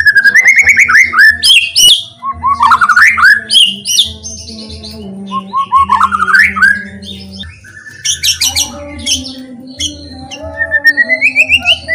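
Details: White-rumped shama song used to provoke other shamas: varied rich whistles rising and falling, quick repeated chips and high trills, a long busy phrase sequence above a constant low drone.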